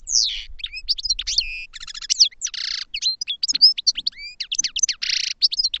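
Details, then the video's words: Goldfinch song: a rapid, varied jumble of high twittering notes, sweeping chirps, buzzy rasping bursts and short trills, delivered in quick succession with brief pauses. "Goldfinch Song to Educate Newcomers to Their Call"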